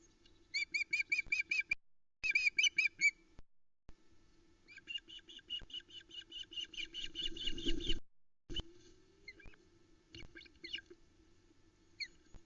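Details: Female osprey fish-calling on the Loch Arkaig nest on 2 July 2020 after the male left with a big trout she did not take; bursts of shrill piping notes between wing flaps, rustling and a steady low hum.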